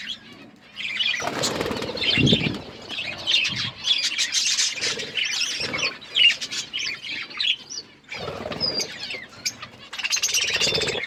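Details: Several budgies chatter as they eat, giving a busy stream of high squeaky warbles and twitters broken by short pauses, with low thumps and rustling from feeding mixed in.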